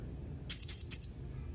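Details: Three sharp, piercing, high-pitched chirps from a blue-crowned hanging parrot, delivered quickly at even spacing in under a second, with only a soft low background rumble.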